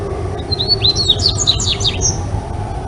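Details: Dubois's seedeater (Sporophila ardesiaca) in Brazil sings a quick, jumbled run of high sweet whistles and slurred notes, rising and falling, over a low steady hum.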